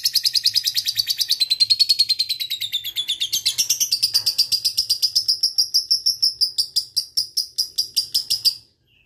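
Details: Lovebird singing a long ngekek used to coax silent lovebirds into calling: a continuous fast rattling trill of sharp high pulses, slightly falling then rising in pitch, slowing near the end before stopping abruptly.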